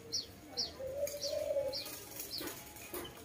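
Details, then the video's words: Dove giving one drawn-out, low, wavering coo. A thin, high chirp repeats about every half second around it. "Lovely dove/ lovey sounds"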